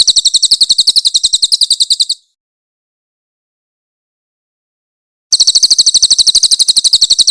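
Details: Two volleys of harsh, high, rapid chips from a grey-headed canary-flycatcher, a loud singer used as a training master. A two-second burst is followed by three seconds of silence, then another two-second burst.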